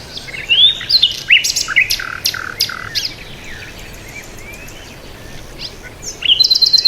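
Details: Bird chirping in short sweeping whistles and sharp ticks during the first three seconds, then a quiet stretch, then a fresh burst of rapid high notes near the end.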